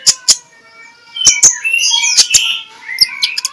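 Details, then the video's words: Magpie-robin in the morning singing ngeplong-style as a lure, with a few sharp ticks, then a short burst of high squeaky whistled notes and a soft trailing phrase. "MENJUR untuk PIKAT Konin Lelet jadi NGOBRA, Menggunakan Suara KONIN Ngeplong"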